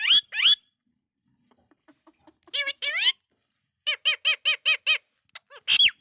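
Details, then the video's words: Indian ringneck parakeet kept as a talking pet, giving sharp, high, harmonic squawks and chattering notes. A quick pair opens, a burst follows midway, then a rapid even run of five clipped notes and a final squawk. "Best Indian Ringneck Talking Parrot"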